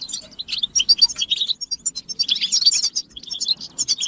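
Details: European goldfinch mating calls played to get a silent male singing: jumbled high tinkling chirps and short twittered phrases, loose and irregular, with brief pauses.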